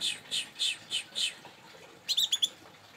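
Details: Young local canary in moult, kept as a pet in Indonesia and fed vegetables, uttering a row of five soft, evenly spaced chirps followed by a quick burst of four sharper, higher notes; faint room noise.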